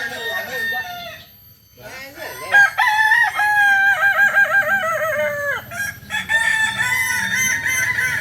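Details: Kokok Balenggek rooster, an indigenous Solok breed from West Sumatra whose crow has many tiers; after a short pause, a long crow of rapidly wavering stepped notes sliding downward, then another crow begins.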